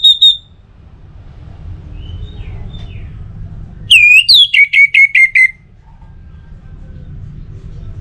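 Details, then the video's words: Orange-headed thrush song played to stir other birds into singing, from North Bali: a brief high whistle, faint soft notes, then a rapid burst of seven or eight falling whistled notes over low background hum. "ANIS MERAH Untuk Suara Pancingan Burung Agar Rajin Bunyi Ngeplong"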